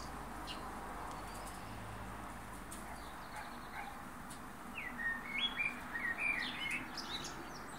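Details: After a few seconds of steady background hiss, a blackbird sings a short run of clear, fluty whistled phrases, slurred up and down and quickly repeated.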